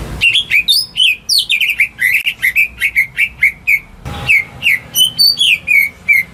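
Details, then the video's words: Caged greater green leafbird song meant to prompt non-singing birds: an almost unbroken run of quick sweeping whistles and chirps, each note bending up or down, with one brief pause midway. "Cucak Ijo Rumahan Yang Cocok Buat Pancingan Burung Macet"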